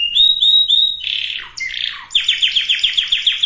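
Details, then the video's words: Canary song used to prepare breeding birds of both sexes: three short whistled rising notes, a harsh buzzy passage, then a regular series of falling sweeps about five per second. "اقوى وافضل تغريد كناري لتجهيز الاناث وتجهيز الذكور canary singing"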